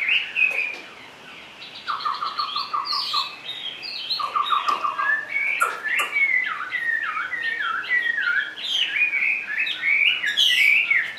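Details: Chinese hwamei kept in a cage, clinging to its perch, mixes rapid stuttering chips and buzzy notes with bright slurred whistles that grow denser and louder toward the end.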